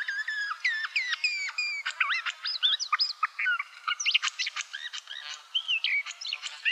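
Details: At a Russian forest edge, a barred warbler (Sylvia nisoria) sings a fast, scratchy, chattering warble of varied high notes, some rising and some falling, running almost without a break.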